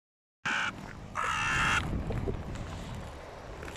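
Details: Hooded crows squabbling noisily over prey on the ground: two harsh, loud caws, the second long and grating, over a low rumble of background noise.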